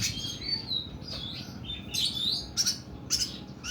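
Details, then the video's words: Oriental magpie-robin singing in the long, harsh 'nembak' style: quick bright whistled slurs mixed with raspy bursts, delivered rapidly and unevenly with steady low background hum. "KACER KUKU BIMA NEMBAK PANJANG & KASAR"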